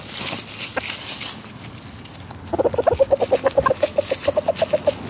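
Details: Chickens in a garden going about daily life; a rapid run of short clucks, about four per second, starting halfway through and rising slightly in pitch, after softer scattered sounds and scratching.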